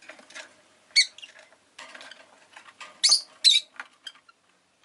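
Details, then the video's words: Rosy-faced lovebird calling over city noise such as engines and bicycles. Scattered harsh, squeaky chirps are heard, two strong ones close together near the end, amid light tapping and clattering. "Lovebird Chirping Sounds"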